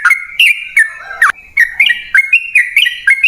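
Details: Sooty-headed bulbul in lively, long-running 'ropel panjang' style song, used as a lure to get other birds singing: bright whistled notes that rise and fall, some with sharp downward slurs, delivered in quick successive phrases.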